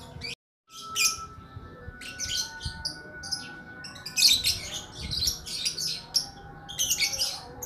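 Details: Bird called lakbet singing in separated bursts of high, scratchy chirps, irregularly spaced over several seconds after a brief silence near the start, with a thin steady hum running beneath.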